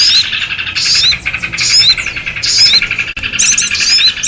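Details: Sooty-headed bulbul noisy call used as a lure for trapping birds: dense, buzzy chattering in bursts about a second long, with thin rising whistled notes on top and short gaps near the middle.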